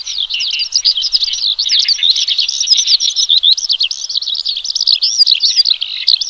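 A Horsfield's bush lark sings a fast, unbroken stream of high, varied twittering and chirping phrases, with no pauses and no other sounds.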